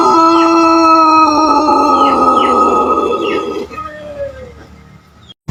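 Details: Indonesian Pelung chicken from Cianjur, West Java, giving a long, melodious crow that holds level for almost four seconds and then trails off into a lower, fading tail. Small chirps from other birds sound in the background.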